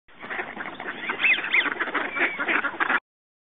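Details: A flock of American Wigeon gives soft, breathy whistles over a dense, overlapping chatter of duck-like calls for about three seconds.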